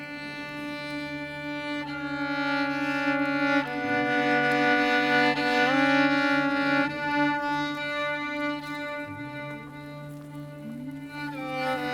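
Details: Bowed strings, violin and cello, play sustained harmonic notes with no animal voice anywhere.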